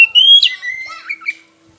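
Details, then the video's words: Short Oriental magpie-robin phrase from a lure meant to provoke rivals into singing: one long, rising whistle that ends in a quick flourish, followed by softer slurred notes trailing off. "Pancingan KACER Macet Bunyi"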